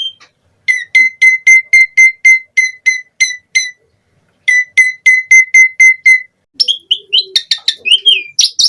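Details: Vigorous Asian pied starling song: a steady string of identical sharp notes repeated about four times a second, a pause, another run of the same notes, then a jumbled burst of chattering whistles and squeaks.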